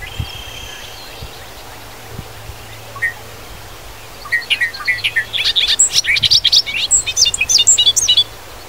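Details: After a quiet start with a few scattered notes, a Bobolink in Wisconsin fields bursts into a gurgling, bubbling song of rapid tinkling notes rising high, lasting about four seconds before stopping.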